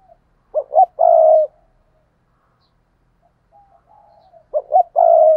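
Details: A spotted dove, a decoy bird used to train and call in new doves, gives soft, low coos: two quick notes and a longer rolling coo, repeated.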